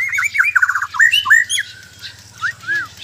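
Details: Murai batu (white-rumped shama) from Sabah, Borneo, delivering rapid, jumbled whistled notes and squeaky slurs, then a pause before two separate arched whistles; a low steady hum continues throughout.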